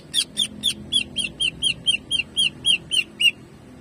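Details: Greater green leafbird, cucak ijo, singing in the rapid jamtrok style: about thirteen sharp, bright, slightly downslurred notes fired evenly, four per second, over a quiet low background hum.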